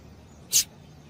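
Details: Female Double-collared Seedeater call, used to stimulate a male to sing: a single short, sharp, high-pitched chip lasting a fraction of a second against quiet background hiss.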